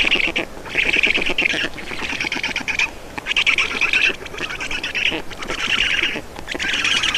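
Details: Black stork nest in Estonia, feeding on 31 May 2019 in the afternoon: rough, wheezing calls delivered in about six bursts, each under a second, with quiet gaps.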